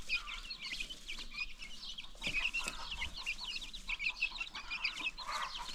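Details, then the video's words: Many baby chicks on a free-range chicken farm chirp in a busy overlapping stream of thin, high peeps, with occasional louder bursts. "new baby chicks"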